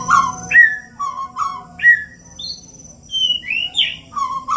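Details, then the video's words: Two fighting white-rumped shamas, Bornean birds from Indonesia, a species that can mimic other birds. Short clear whistled notes repeated about every half second, then a high upward sweep and a twisting phrase. "Two King Bird Fighting || Murai Batu Birds Chirping Fighting"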